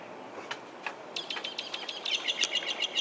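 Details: At sunset on 31 July 2014, a bird living in a San Francisco back yard gives rapid, high chattering notes, several per second, quickening and growing louder toward the end over a soft background hiss.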